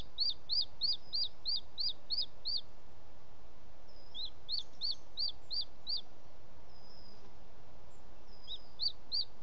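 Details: Booted eagle male arriving at the nest with a bird as prey, late evening, 18 June 2017, Els Ports Natural Park; rapid high whistled notes, about three per second, in bursts of six to eight separated by short pauses, steady background hiss.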